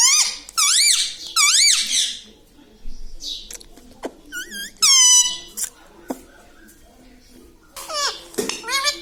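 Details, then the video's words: Talking parrot, said to utter papa and mummy, delivering pairs of shrill arched syllables early on, then scattered softer squeaks and clicks, with a bright descending cry midway and a final burst of strained notes. "Papa Mummy Bolne Wala Tota - Talking Parrot - Me Tota Me Tota || batuni tota"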